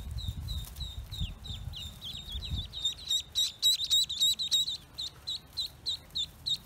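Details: Newly hatched Pekin ducklings on a farm peeping in a rapid series of high, downward-sliding notes, at first mixed with low thumping and handling noise, then loud, evenly spaced cheeps about three or four per second.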